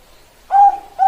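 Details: Bangkok-type zebra dove, perkutut, gives a short clear coo held on one steady pitch, followed by the start of a second coo; quiet background otherwise.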